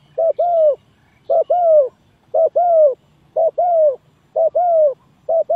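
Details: Spotted dove coo used as a trapping lure: a regular rhythm of short then long falling coos, six phrases roughly one second apart, loud and clear with no background.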